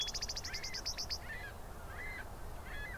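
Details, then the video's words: Eastern meadowlark in Southern Ontario, Canada, giving a rapid series of about ten sharp high ticks in a stuttering rattle, then fainter short slurred notes lower down; steady low rumble beneath. "Eastern Meadowlark Calls/singing"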